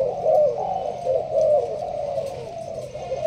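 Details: Malaysian spotted dove kept in a leaf-covered cage, cooing in the sparse urging pattern. Short, soft, rounded coos come in a quick, fairly even sequence.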